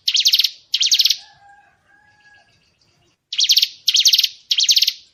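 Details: White-rumped shama training material of loud, scratchy, buzzy bursts in a regular series, broken by a quiet gap with a faint low hum before the bursts return.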